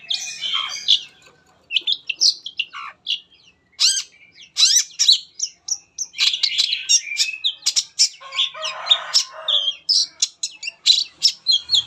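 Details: Long-tailed Shrike singing a full lure song meant to prompt other shrikes to sing. It is a fast, varied, high-pitched chatter of chirps, sharp whistles and short rasping phrases delivered almost without pause.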